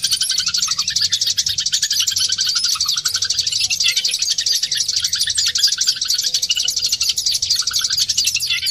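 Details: Oriental white-eye; song; lure song to prompt caged birds to sing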